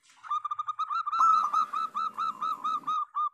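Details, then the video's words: Local zebra doves singing in chorus, used as a lure to prompt doves that have stopped singing. A steady train of short, rounded cooing notes, about fourteen, each slightly bent. A soft low rumble runs underneath midway. "Pancingan perkutut lokal gacor"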